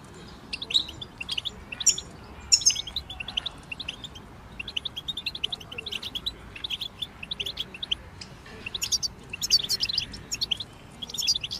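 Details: European goldfinches in group chorus, meant to help a goldfinch sing and come out of moult: overlapping thin, tinkling chirps and twitters, high and bright, in loose bursts with short pauses, over a low steady hiss.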